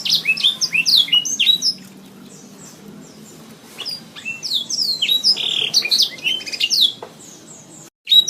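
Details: Training recording of a canary singing: loud, high, tumbling phrases of quick whistled sweeps and chirps come in bursts broken by a silent pause, with a brief cut near the end.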